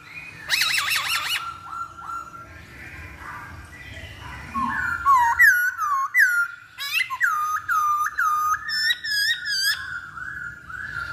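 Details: Masked laughingthrush lure song meant to draw another bird into singing: a brief harsh burst, a quiet pause, then loud swooping whistles and bright ringing notes delivered in a rapid, uneven series.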